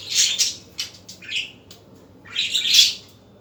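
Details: Afternoon budgerigars: a loud burst of harsh chirps, then a short falling whistle-like note and a quiet gap, ending with a strong, raspy squawking burst.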